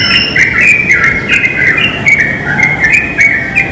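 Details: In a pine tree, a wild yellow-vented bulbul sings loudly and constantly, throwing out quick bubbling phrases of bright chirped notes with abrupt pitch jumps; faint insect clicks above.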